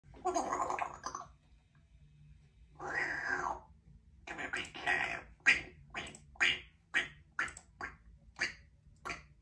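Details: A female Congo African grey parrot, a talkative pet, imitates a chimpanzee while her owner works: two breathy hoots, then a run of about ten sharp, rising shrieks quickening over four seconds.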